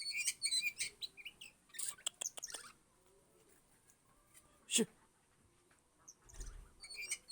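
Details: Oriental magpie-robin of the Priangan type, described as clever and obedient, giving bright high chirps and quick descending whistled notes in short bursts, then a sharp sweeping note, with pauses between phrases and a brief low thump near the end.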